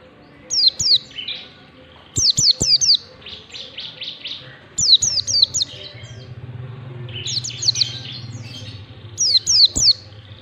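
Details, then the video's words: Mountain white-eye giving ngalas-style song, used to train birds: repeated bursts of three or four sharp, high, downward-slurred whistles, with a fast series of soft buzzy notes in between and a faint low hum. "pleci ngalas 123 ketukan, PLECI BELAJAR NGALAS SANGAT BAGUS DI PANCING SUARA INI"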